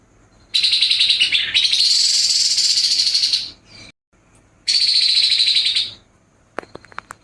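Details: Grey-headed babbler singing in the harsh rapid-fire style known as nembak kasar: two long, dense, buzzy rattling trills, each over a second long and separated by a short pause, followed by a few faint clicks.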